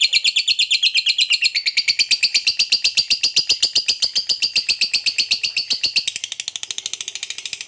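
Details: Long ngekek trill from a fighter lovebird kept to stir up other lovebirds: fast, even, high-pitched rattling pulses for about six seconds, then a softer, quicker tail of chatter.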